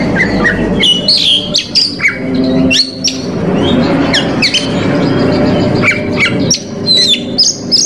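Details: Oriental magpie-robin song sung to provoke rival males: scattered high whistles and abrupt chips cutting through heavy broadband noise and a droning low background.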